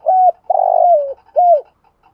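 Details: Spotted dove lure in 'thúc gù' style: a clipped coo, a drawn-out rough coo gliding downward, then a final short coo curling down, all low and hollow.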